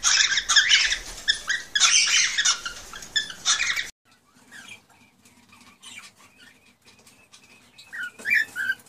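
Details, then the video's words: Male cockatiel song meant to prompt a female toward mating and breeding: loud, busy chattering warbles for about four seconds, then a sudden drop to faint scattered chirps and soft clicks. "تغريد طيور الكوكتيل ( الكروان ) لتحفيزها على التزاوج والانتاج"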